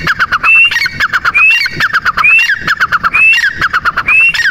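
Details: Repeated francolin call, male and female teetar: each phrase a sharp rising whistle tied to a fast burst of harsh clucking notes, about five phrases in under five seconds, clear and close.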